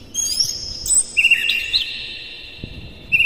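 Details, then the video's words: Oriental magpie-robin singing in the morning as a lure for caged birds; high sustained whistles shift down to a lower trilled phrase, then a short bright twitter, over faint background hiss. "suara PAGI!! KACER Gacor Master PANCINGAN Buka Ekor KONSLET"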